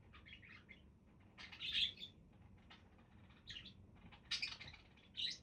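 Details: Budgerigars giving short, scattered chirps and chattering bursts, high and bright, with quiet gaps between groups and a soft background hiss.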